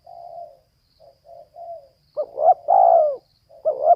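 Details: Female spotted dove cooing: a few soft, low hooted notes, then louder, rising-and-falling coos in a short, uneven sequence, with a quiet background.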